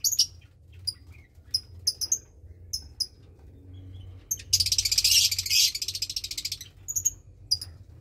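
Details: About 20-day-old lovebird chick in a nest with a second chick, parents Parblue Turquoise and Euwing Blue Opaline; sparse short high chips, then a dense raspy trill lasting about a second and a half, background hum.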